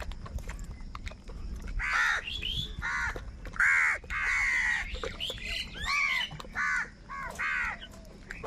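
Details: Angry crows fighting for food, calling very loudly: a rapid series of harsh, nasal caws, several overlapping, some short and some stretched, coming in bursts with brief gaps and a faint background hiss.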